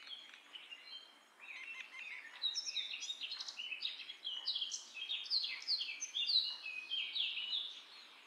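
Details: Indian or common myna in a rambling run of varied chirps, squeaks and warbled notes that grows louder and denser toward the end. The background is a faint outdoor hiss.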